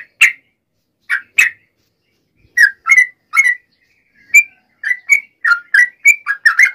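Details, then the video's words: Nggaruda ropel fighting song of a yellow-vented bulbul, meant to rile other bulbuls: scattered single chirps at first. These build into a denser, quicker series of bubbly whistled notes toward the end. "trucukan gacor TARUNG NGGARUDA ROPEL ini AMPUH MEMBUAT agar burung trucuk gacor NYAUT EMOSI SEKETIKA"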